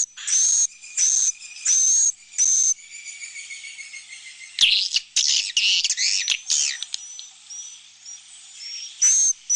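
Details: Roosting call of swiftlets played so the birds sense a flock nearby. It opens with four evenly spaced buzzy bursts, then turns into a jumble of chattering, scratchy calls before single buzzes return.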